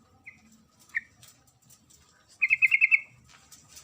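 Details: Calling female sooty-headed bulbul, addressing the male: two soft single notes, then a clear fast run of about six crisp chattering notes, against faint background hiss.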